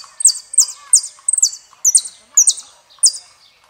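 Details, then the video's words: Saffron finch from Argentina singing "El peregrino": crisp, high, downslurred notes repeated about every half second, seven phrases in a steady series, clean background without other sounds. "JILGUERO ARGENTINO - El peregrino"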